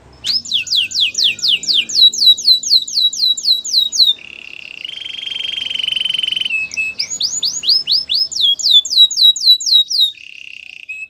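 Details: White canary in song, opening with rapid repeated downward-swept whistles, switching to a long buzzing trill, then returning to swept notes and closing on another short rolling trill.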